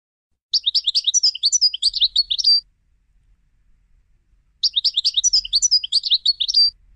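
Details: European goldfinch trained for song competitions, singing two bursts of rapid, tinkling twittered phrases, each about two seconds long, separated by a pause; faint low rumble in the background.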